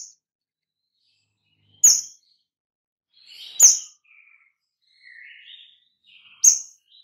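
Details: Kemade, the white-rumped shama, heard in a lure meant to prompt other shamas to sing; three piercing high flicks spaced about two seconds apart, with quieter lower warbled whistles between them.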